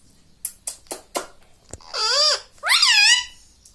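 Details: Pet green ring-necked parakeet indoors: a few soft clicks and taps, then two loud harsh wavering squawks of about half a second each, close together.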